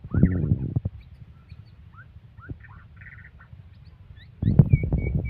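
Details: Aggressive white-rumped shama giving scattered clear whistled notes, some rising, some falling, with a short warbled phrase mid-clip, among loud low thumps and rustling at the start and end.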